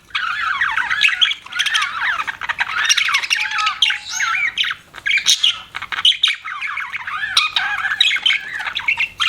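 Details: Budgerigar chatter kept as pets, with busy overlapping chirps, trills and rasping squawks running nonstop across the whole stretch and only short dips in volume.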